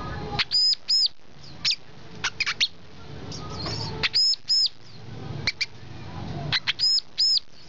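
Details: Brown-throated sunbird alternating sharp high chips with pairs of loud, arched, ringing whistles, spaced irregularly over a soft hissing background.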